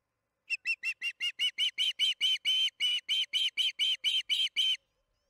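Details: Osprey at the Charlo nest during evening feeding, 8:15 pm MDT on June 21, 2019: a steady run of about eighteen sharp whistled chirps, each roughly a quarter second apart, growing louder before stopping abruptly.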